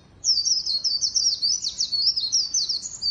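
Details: White-eye used as a lure bird, giving a continuous, rapid warble of high, thin, slurred chirps for about three seconds over a quiet background.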